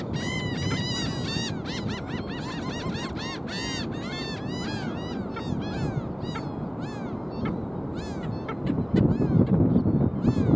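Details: Black skimmers calling at South Padre Island, 5 April 2023: a dense chorus of many nasal, yapping, arched notes, several birds overlapping, heard over constant low wind or surf noise.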